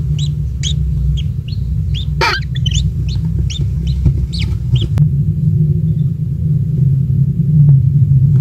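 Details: At the nest, a newly hatched kingfisher chick being fed insects by a parent gives a rapid series of short high chirps for about five seconds, with one harsh burst, then a low steady rumble continues.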